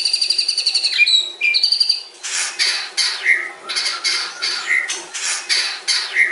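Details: Murai batu sings a long fill, opening with a fast, buzzy rattle and brief whistles. Then comes a run of harsh, scratchy bursts, each ending in a short whistled slur.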